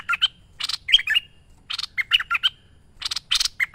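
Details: Energetic merbah lekir bulbul song from a training master recording: three quick phrases of bubbly warbles mixed with raspy bursts, each under a second, separated by brief gaps.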